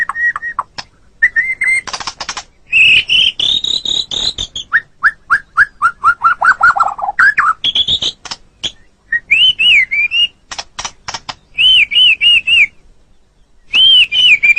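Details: Masteran tutoring recording of a white-rumped shama for pet songbirds: loud whistled phrases mixed with dense chattering bursts and a descending series of short notes, broken by brief pauses.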